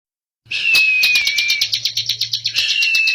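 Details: Bar-winged prinia, known locally as ciblek or prenjak, singing actively: rapid dry ticking notes repeated about three per second over a high thin whistled tone, with a low steady hum beneath.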